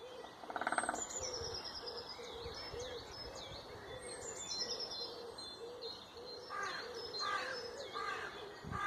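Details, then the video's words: A woodpecker knocks in a quick rattling roll about one second long, followed later by fainter taps, while songbirds keep up thin high whistles and chirps and a low repeated cooing note runs underneath. "woodpecker knocking"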